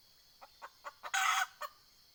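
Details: Decoy junglefowl hen calling wild fowl, 20 April 2020: four spaced clucks rising in strength lead into a loud rasping burst, followed by one final cluck.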